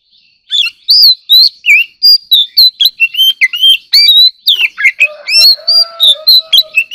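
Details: Competitive singing by an ornamental White-rumped shama: a long, fast stream of loud whistled slurs, twists and chips, nearly four notes a second, with a low buzzy drone joining in the final two seconds.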